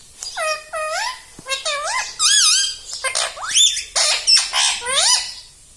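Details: Pet rose-ringed parakeet talking, saying "mummy": a rapid run of loud, squawky, wavering syllables that dip and rise in pitch, several in quick succession with short gaps between.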